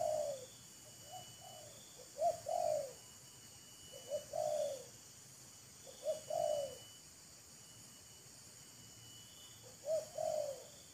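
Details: Spotted dove in a calling contest between a decoy and a wild bird, showing off and courting. Faint, distant two-part coos are repeated about every two seconds, with four phrases in all, under a steady hiss.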